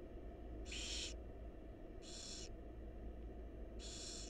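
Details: Three hoarse hissing begging screeches from wild barn owl chicks in a nest box during feeding by their mother, spaced over a second apart, with a steady low hum behind.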